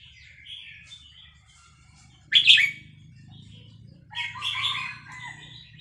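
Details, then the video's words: A Vietnamese red-whiskered bulbul in fast linked-phrase song, stirred up by a played recording of hatched chicks; a sudden loud warbled burst midway, then a longer chattering phrase, with faint thin notes before and low background hum. "นกกรงหัวจุกเวียดนาม ต่อดอกเร็ว เปิดยั้วลูกนกฟักแล้วคึกร้องตาม"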